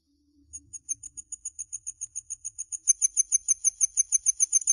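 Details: Common linnet song of high, clipped paired notes repeated about three times a second, growing louder and fuller halfway through, with faint low knocks early on.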